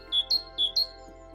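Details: Great tit in the UK, a bird of woodlands, parks and gardens, sings its high, squeaky song alternating two notes, a lower then a higher one, repeated twice quickly, with faint steady music underneath.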